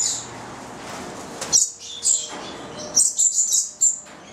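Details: Young captive Stella's lorikeets, a nine-month-old Italian-bred goliathina pair, calling in short sharp high chirps and squeaks, several quick notes clustered near the end.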